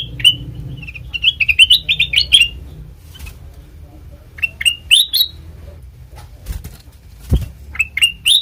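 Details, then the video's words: Black-crested bulbul singing, a recording meant to lure birds for trapping and to tutor captives: a lively burst of liquid chirps, a pause with faint clicks, then short rising whistled phrases returning near the end. "Suara Asli Kutilang Emas Pancingan Pikat Masteran"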